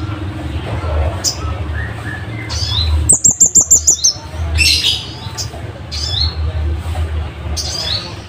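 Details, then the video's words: Scarlet-headed flowerpecker giving its loud, sharp song for training caged birds: a fast run of seven piercing high ticks, set among harsher squawking chirps from other birds and a low background hum. "Cabean Bunga Api gacor"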